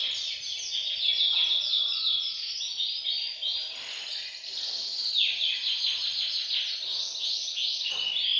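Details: Canaries singing together in a bird room, a group chorus meant to stimulate males to sing and prepare females for breeding; dense overlapping high trills and rapid repeated notes with long whistled tones, continuous throughout.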